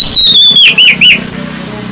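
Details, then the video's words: Orange-headed thrush song played as a lure to prompt other birds to sing, loud and shrill: a long high whistle sliding down, then quick looping upturned notes in a brief burst, over a low steady hum. "Pancingan anis Cendana"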